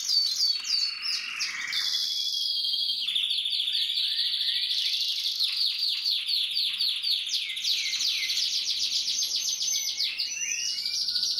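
A Gloster canary sings a long, unbroken song of high rolling trills and quick chirps, shifting between rapid buzzy rolls and bright warbled phrases.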